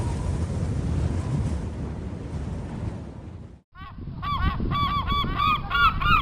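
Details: At the sea in Mumbai, surf and wind roar for about three seconds, then a flock of gulls calls in quick, overlapping, arched, nasal cries, roughly three per second.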